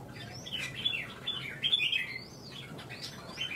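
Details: Red-whiskered bulbul competing in a Vietnamese singing contest, pouring out a continuous, fluid run of rising and falling whistled, warbled notes over a faint low hum.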